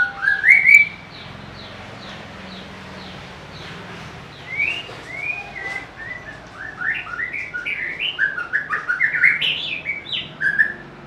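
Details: White-rumped shama giving a short whistle, falling quiet, then building into a fast string of rising and falling whistled notes, with soft repeated ticking and a low hum behind.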